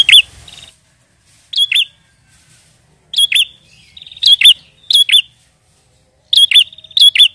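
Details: Lively prinia chirping used to lure wild prinias: loud double chirps in quick succession, often introduced by a short rattling buzz, clustering tightly toward the end.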